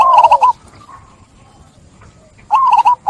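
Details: Zebra dove lure sound for stressed doves that stopped singing: a quick trilled coo phrase, quiet faint coos, then another trilled burst.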